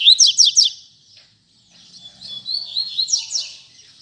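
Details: Three sharp descending chirps open this double-collared seedeater song in the tui tui zel zel style; a pause follows, then softer twittering rises into quick swept whistles, with faint low murmurs.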